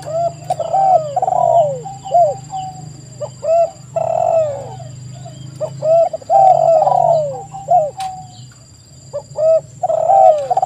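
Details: Repeated mellow coos of spotted doves, played as a lure to provoke other doves to call: runs of short and drawn-out notes over about ten seconds, with a low hum underneath and a faint high tone throughout.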